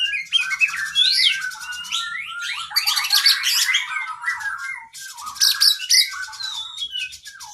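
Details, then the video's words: Oriental magpie-robin training song, with vigorous singing and long imitated fill-ins for caged birds: a busy, jumbled stream of warbles, squeaks and slurred notes with layered chattering and a brief pause near the middle. "Masteran Burung kacer Gacor isian Panjang"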